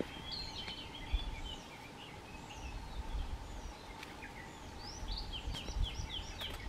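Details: A Blue-and-white Flycatcher sings from a pine treetop at Shuhogahara, Kobe, at midday on 1 June 2020, with quick, high, sliding whistled bursts; a Japanese bush warbler sings in the distance, over a low rumble and faint hum.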